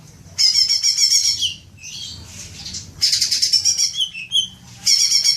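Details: Greater green leafbird lure for long 'ngekek' chattering: three bursts of fast, shrill, pulsed chatter separated by softer scratchy and whistled notes, each burst lasting about one to one and a half seconds.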